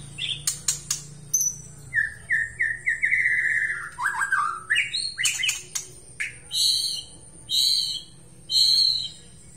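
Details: White-rumped shama from Aceh singing in a lively, highly active way: a varied run of clicks, short sharp notes, then a descending series of slurred whistles and several loud sustained whistled phrases near the end.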